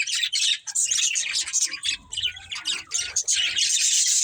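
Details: Busy chirping from a budgerigar breeding pair, fast irregular scratchy warbles and squeaky notes packed closely together, with faint low rumbles underneath.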